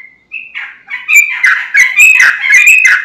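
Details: Vigorously singing yellow-vented bulbul used as a lure for other bulbuls: a short whistled start builds into dense, loud chattering warbles with quick rhythmic notes filling the rest of the three seconds.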